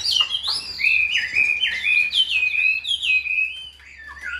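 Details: Tame hand-raised Chinese hwamei in a cage in Vietnam sings a rich, continuous stream of clear whistled slurs, swooping up and down and varied phrase to phrase, with faint low hum underneath.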